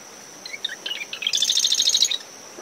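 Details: One Marsh wren song at dawn from dune shrubs surrounding a nest at SMNWR: a handful of sharp, varied chips, then a loud, dense, grating trill lasting about a second, above a continuous high cricket note.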